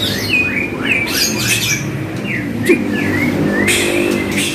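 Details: White-rumped shama training song meant to make kept birds reply: sharp rising and falling whistled notes in short phrases, with brief broadband clicks and a low background rumble.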